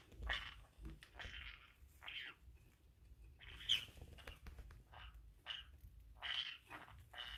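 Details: Pet female green-cheeked conure indoors, inside her owner's pocket and chewing it, perhaps wanting to mate: scattered harsh, scratchy squawks and chatter in short bursts, with rustling fabric between them.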